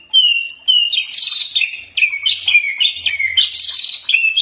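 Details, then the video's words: Common iora song: a clear, loud run of whistled notes stepping up and down, each short phrase slurring between pitches, repeated steadily with a faint low hum at times. "Mastran burung cak ijo pasti nyaut"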